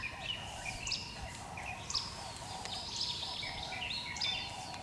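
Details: Russet sparrow (Passer rutilans), a bird growing scarce in Taiwan and seen only at a few sites, recorded in the south: repeated short high chirps and thin whistled notes over steady background hiss and a faint low hum.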